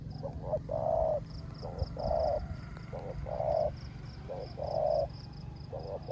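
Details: Caged decoy spotted dove cooing in the rain in the rước gù style: short double notes, each followed by a longer, mellow drawn-out coo, repeating roughly every second and a half over a steady high pulsing chirr and low rumble.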